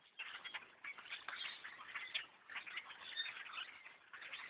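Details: Thousands of wild blackbirds swarm a hunter's tree stand during a bow hunt, filling the air with a dense, unbroken chatter of overlapping squeaks, clicks and harsh notes from the whole flock.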